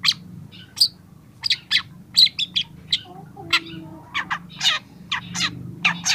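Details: Young long-tailed shrike in a training recording, beginning to use mimicked phrases: scattered sharp chirps and harsher buzzy notes with brief pauses, over a steady low background hum.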